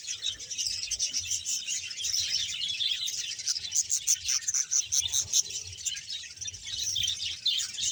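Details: About a hundred pairs of budgerigars in a breeding colony at Bahawalpur fill the air with constant overlapping chirrups and shrill warbling, sharp clicky notes standing out around the middle, and a soft low rumble underneath.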